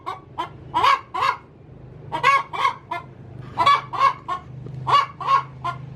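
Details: Hen cackling in the coop before laying, paired and tripled harsh squawks separated by pauses, over a steady low background hum.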